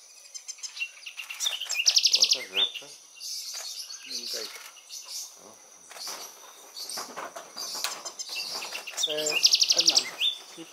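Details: Courting pair of Spectacled Parrotlets, Laguna de Sonso near Cali, Colombia, recorded 9 July 2019; shrill buzzy chatter with two bursts of fast repeated high notes, scattered tweets between, and a person speaking Spanish briefly.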